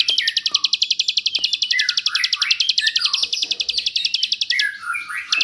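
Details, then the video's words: Bar-winged prinia tutor song, 'suara jerih' style, meant for teaching songbirds: a long, steady stream of rapid high-pitched ticks with swooping lower chirps and a few clicks beneath. "masteran ciblek suara jerih / tembakan Ciblek ngebrend"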